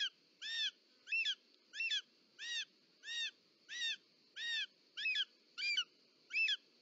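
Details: Female short-toed snake eagle arriving at the nest with a snake, Parc Natural dels Ports, Catalonia, 18 July 2024. Ten loud, clear, bowed notes repeated at an even pace, roughly every 0.65 seconds, with a high steady hum.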